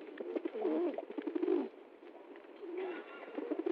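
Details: Several pigeons at a feeding spot in the jungle give deep, gurgling coos, a dense run of rolling notes in the first half, a quieter pause, then more coos building again.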